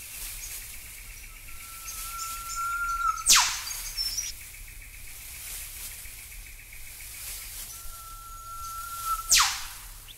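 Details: In Australia, an Eastern Whipbird gives two calls about six seconds apart, each a long steady whistle ending in a sharp, explosive whip-crack, with faint chirps from other birds behind.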